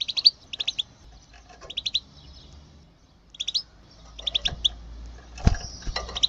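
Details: Goldfinch batbata chatter, a recording used to lure goldfinches for trapping: short groups of two or three sharp, bright tinkling notes repeated in bursts, with a low background rumble and a soft thump near the end.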